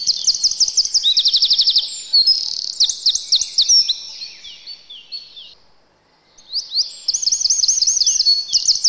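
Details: Eurasian wren, a winter visitor to a yard, pours out piercing rapid trills and looping notes, falls silent for about a second, then resumes with another fast rattling, tinkling run.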